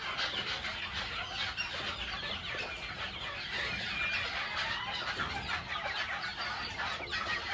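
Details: White Faverolles hens clucking in a dense, overlapping murmur of short soft calls and higher squawks, with steady background noise throughout.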